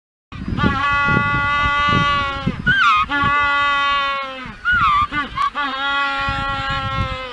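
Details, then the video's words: Penguin on Magdalena Island in the Strait of Magellan, Chile, giving its honking mating call: a long, loud, harmonically rich braying honk, broken by two brief gasping breaks before the honk resumes. "Penguin honking mating call"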